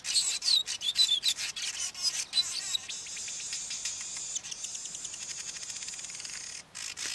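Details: Male Cape weaver winding up his long song: squeaky chattering notes speed into a dry, buzzy, insect-like rattle that runs steadily for several seconds before a brief pause.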